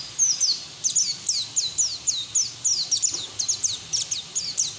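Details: Open-beaked white-eye singing ngeriwik, ngalas style, for training untrained white-eyes; a steady series of about fifteen sharp, down-slurred high chirps at even pace, with light background hiss.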